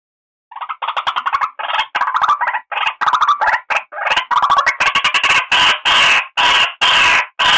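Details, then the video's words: White-breasted waterhen calling for luring birds: a long accelerating chain of harsh, grating notes, grouped in bursts, growing louder and harsher toward the end. "suara asli burung ruak-ruak pemikat"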